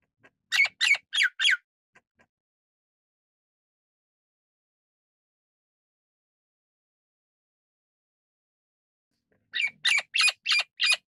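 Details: Golden-crested myna, Ampeliceps coronatus: a rapid series of four coarse squawks, then a long silence of about eight seconds, then another quick burst of five harsh notes.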